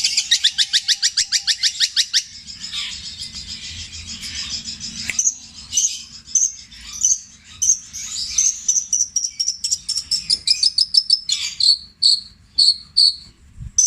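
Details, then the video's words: Captive long-tailed shrike from Java, Indonesia, singing mimicked tengkek buto, kuntilanak and sparrow calls in the long, repeated petir style. It opens with a fast burst of sharp repeated notes, then varied chatter, and ends with evenly spaced high clipped whistles. "CENDET INI MUNTAHKAN TENGKEK BUTO KUNTILANAK GREJA NYERET PETIR KW PANJANG2 DAN DIULANG2!"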